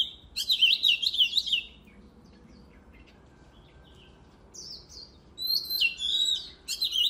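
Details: Oriental magpie-robin song for competition training: a fast run of high twittering, varied notes, then a quiet gap with faint noise, then a second series of sharp whistled, downslurred notes.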